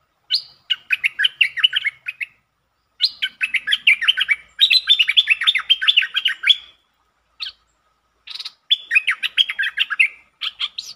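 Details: Streak-eared bulbul opening into many song styles, with long and doubled songs, used as a lure sound, 13 February 2023; long runs of rapid, bubbly chirping phrases broken by short pauses, lively and continuous.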